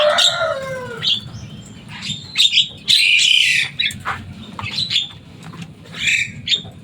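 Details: Kept Javan myna, noisy and able to mimic speech, starting with a falling gurgled whistle, then irregular harsh squawks, clicks and buzzy notes with short gaps; low hum behind.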